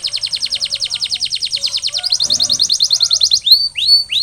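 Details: Canary song aimed at post-molting recovery: a fast, even trill of high bright notes, about ten per second, shifts into a quicker second trill, then three sweeping rising whistles close the phrase.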